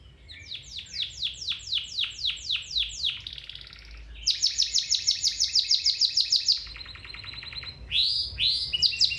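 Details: Domestic canary singing, used as a training song to stimulate another canary to sing: loud rapid series of descending whistled notes, then buzzy trills and rolling high tours of fast repeated syllables.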